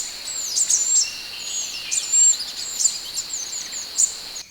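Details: Scarlet minivet masteran recording for training cage birds: high sweet slurred whistles and sustained bright notes mixed with sharp ticks, irregularly spaced over a constant hiss, ending in a sudden cut.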